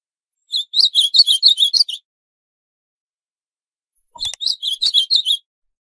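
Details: Northeastern ultramarine grosbeak in full song: two fast, high, chattering warbled phrases of about nine notes each, separated by a silent pause of roughly two seconds.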